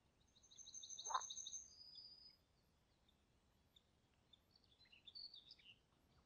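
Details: Common kingfisher in Niepołomice Forest, Poland, during July 2020: a long, thin, shrill whistle with a brief lower burst mid-call, then a cluster of quick chirps and short twittering notes.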